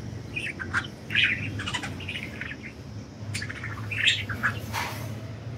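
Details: Budgies flying free, making a stream of small twittering chirps and a few rough squawks over a low background rumble, with possible wing flutter.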